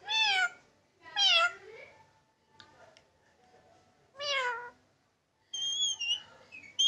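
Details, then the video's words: Tame Indian ringneck parakeet kept as a pet, imitating a cat's meow indoors: three loud, harmonic, downward-curving mews about a second apart, then a wavering high whistle with a final short rising note. "Billi ki Awaz | Funny Parrot Talking Miaoon in Cat's Voice"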